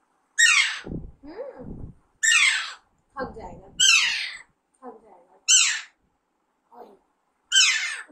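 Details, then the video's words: Pet Alexandrine parakeet, raised from a chick, repeating strident, grating squawks that drop in pitch, about every one and a half seconds, with lower murmured notes and a voice between calls. "Alexander parrot natural sound"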